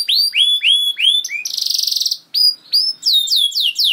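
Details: Canary giving long 'gacor' song, used to coax canaries into singing quickly. Looping high whistled swoops, a rapid buzzy trill, then more bright curved notes in quick series.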